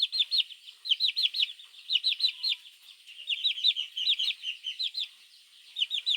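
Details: Baby chicks calling their mother hen in the morning, a mongoose lure: clear, loud, falling peeps in groups of three or four, about one group per second, softer in the middle.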